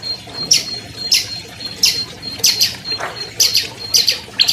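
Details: Albino long-tailed shrike, a prize-winning captive bird, giving harsh, scratchy notes roughly every half second to second, each a broad burst sweeping down from very high pitch, with a faint steady high tone beneath.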